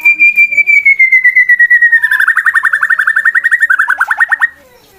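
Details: Male competition white-rumped shama giving a provoking fight song to stir rival birds: a long, clear whistle sliding slowly downward, then running straight into a fast, even, pulsing trill that dips lower before stopping abruptly.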